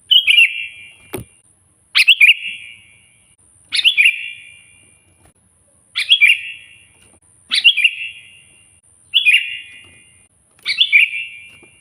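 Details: Loud, vigorous kutilang, the sooty-headed bulbul, singing to provoke a rival: seven quick bubbling phrases repeated about every one and a half to two seconds, each starting with a sharp upward note and ending in a ringing echo; a single click early on.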